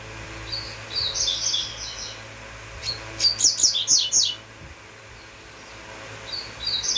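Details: Double-collared seedeater singing uruguayo: soft high twitters lead into a loud, fast sequence of crisp downslurred chirps, then silence before a fresh quiet phrase starts, with a low hum throughout.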